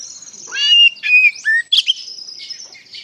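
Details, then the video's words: Ngeplong-style song of an Oriental magpie-robin, meant to draw answers from untrained magpie-robins: a rising scratchy phrase leading into three loud whistled notes and a sharp chip, followed by quieter twittering. "PANCINGAN SUARA KACER NGEPLONG GACOR DIJAMIN NYAUT KACER BAHAN"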